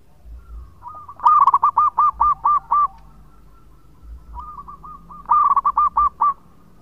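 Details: Local zebra dove singing actively with long phrases, played as a lure. A soft lead-in phrase comes before each of two loud bursts of rhythmic cooing notes, about five or six per burst, over a low hum.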